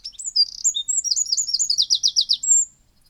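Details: Eurasian wren song: a loud, explosive burst of high, rapid twittering notes running into a fast rattling trill, all within about three seconds.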